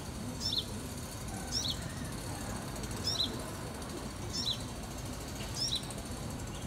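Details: Baby sunbird recorded in 2018 giving short, high, sharp double chirps that drop slightly in pitch, five of them about once a second, over a steady low rumble of background noise.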